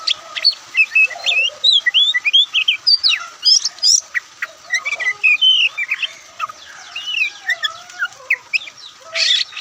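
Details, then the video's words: Relaxed singing of a white-breasted Oriental magpie-robin, known as Kacer Poci or Kucica Kampung, in the varied Ngobra style: a long, loud, lively run of changing whistles, chirps and buzzy notes delivered almost without a break. "Kicauan Santai Kacer"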